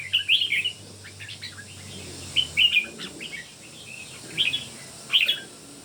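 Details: Red-whiskered bulbul, one of three competing singers; short bright warbled phrases in separated bursts, two or three notes each, with soft chirps between them and a low hum early on.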